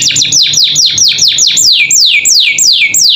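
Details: Pet canary singing varied training song: a run of clear whistled notes, each sweeping steeply downward and becoming slower and longer as the phrase goes on.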